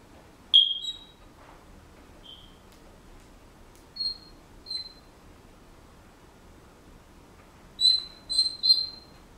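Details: Senegal parrot kept as a house pet whistling part of a song it is learning: a loud, high whistle, then scattered short notes, ending in a quick run of three bright whistles in a quiet room.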